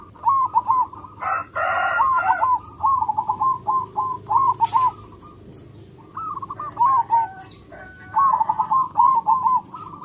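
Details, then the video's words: Loud local zebra dove singing to lure wild zebra doves: several long phrases of rapid, bouncing whistled coos separated by short pauses, the notes rising and falling, with occasional clattering noise bursts. "Perkutut lokal gacor SUARA BESAR, karakter suara nya bagus untuk pemikat semua perkutut."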